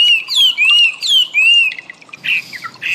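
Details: Chinese Hwamei (wambi), used as training audio for cage songbirds: clear slurred whistles, each rising then falling, in phrases about half a second long, ending in harsher, buzzier notes.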